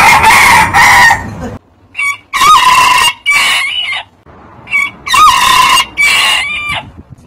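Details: Higher-pitched, shorter crowing calls repeated in bursts roughly a second long with quiet gaps. Each has a quick rising then level, slightly strained tone.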